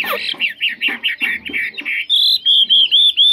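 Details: Chinese hwamei, a good singer without faults, starting with a string of quick buzzy chevron-shaped notes, then switching to high, clear, evenly spaced pure whistles repeated about twice a second.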